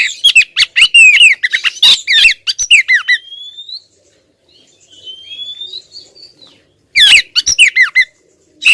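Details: Insistent calling by a female oriental magpie-robin aimed at the male. A rapid run of raspy chirps and twisting whistles is followed by thin rising whistles, then a fresh burst of scratchy notes.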